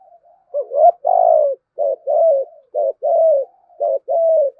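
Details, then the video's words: Spotted dove giving a loud luring coo in the thúc gù, gáy gọi style, meant to draw other doves: a quick rising note then a longer falling coo, repeated about once a second, four phrases in a row. "Tiếng chim cu gáy kích bổi { THÚC GÙ, GÁY GỌI, ĐỦ BÀI, GIỌNG TO } CU ĐẤT THÚC GÙ GIỌNG BÀI BẢN"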